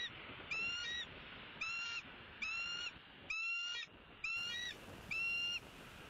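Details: Bald eagle calling while defending its territory and chasing off a raptor, Southwest Florida nest camera, late morning 01-04-16: a run of six high, piping, harmonic notes, each slightly rising then falling, spaced about one second apart.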